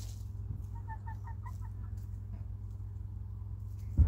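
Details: Domestic hens with a rooster clucking around their coop while they eat and play; a brisk series of about six short, evenly spaced clucks in one second, then quiet scratching and a low constant hum, ending in a bump.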